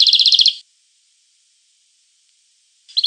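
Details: Short, fast trill of even, bright twittering notes from a European goldfinch, followed by silence and the start of another phrase at the end.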